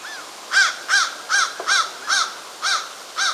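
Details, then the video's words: Hairy woodpecker in Newfoundland while feeding young, giving harsh, arched, nasal calls about every half second, eight in quick succession, over a quiet background. "Hairy Woodpecker"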